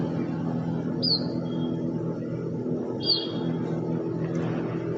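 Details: Bird chirping in beautiful weather: two thin, high, downslurred whistles about two seconds apart, each trailing into a brief lower tone, over a steady low rumble and hum.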